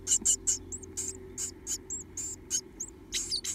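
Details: Two Japanese tit nestlings left in a nest box, gaping open-mouthed and begging for food: a rapid series of short, high, hissing chirps, roughly three to four per second, with a faint low hum underneath.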